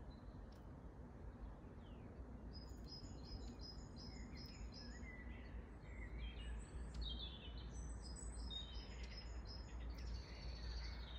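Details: Long-tailed tits in Grunewald, Berlin, on 20 March 2021, give thin, very high, rapidly repeated notes and short trills in scattered bursts, over a steady low rumble of wind or distant traffic.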